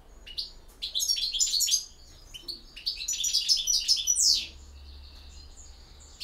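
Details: European goldfinch singing in campero style: two bursts of rapid, high, liquid twittering with tinkling trills and buzzy notes, separated by a short pause and followed by faint high chirps.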